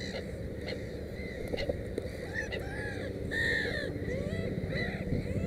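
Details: Black-headed gull at a nest with three chicks gives harsh, rasping, arched calls in quick irregular series, some louder and drawn out, over a steady low rumble of wind.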